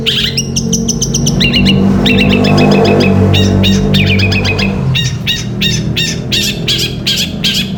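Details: Long-tailed shrike song for training caged birds, gereja petir style: dense runs of fast, high clicking and chirping notes, nearly continuous, over strong low rumbling background noise.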